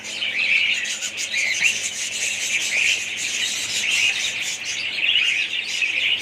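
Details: Budgies calling as a colony, a busy overlapping blend of squeaky chirps and rasping warbles with no pauses, the bursts rising roughly once a second.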